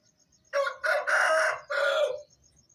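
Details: Aseel rooster giving its dawn wake-up crow around 4:30 am on a farm: a full cock-a-doodle-doo of four harsh, rough syllables, the third long and drawn out, lasting under two seconds, with a faint high insect whine behind.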